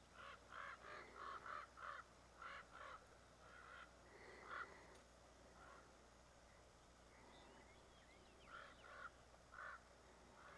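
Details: At dusk, a pair of protective Common Raven parents with fledglings harass a large adult bobcat, calling repeatedly: harsh, croaking caws in quick bursts, about three a second at first, then scattered calls over a steady outdoor hiss.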